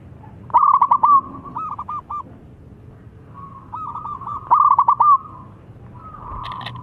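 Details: Thick-voiced young local zebra dove, kept as a lure for doves, repeating its phrase: a stammering cluster of clipped coos, softer trailing notes, a pause, then the same pattern again, with a faint click at the end.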